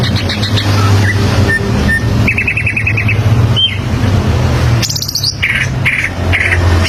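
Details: Greater green leafbird (cucak ijo) standard song, used to teach young birds to sing: chirps and pure whistles, a quick trill, then a sharp high burst and repeated buzzy notes, all over a low humming background.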